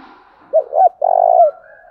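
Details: Spotted dove decoy cooing used to provoke other doves into calling and fighting: two short low hooting notes followed by a longer, steady, drawn-out coo.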